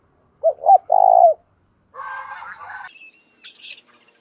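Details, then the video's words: Spotted dove used as a decoy to lure wild birds gives one three-note coo, short, short, then long. Softer, higher chattering and whistled notes from other birds follow afterward. "cu gáy mồi thúc và gáy gọi dùng kích bổi hay và nhanh gáy"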